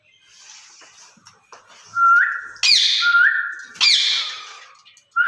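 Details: Pair of caged ring-necked parakeets vocalizing together, clear level whistles alternating with loud harsh squawks, faint chatter underneath.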